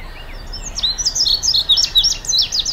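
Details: Indigo bunting singing a bright, high, jumbled phrase of sharp down-slurred and paired notes, rising in loudness, over faint low background noise.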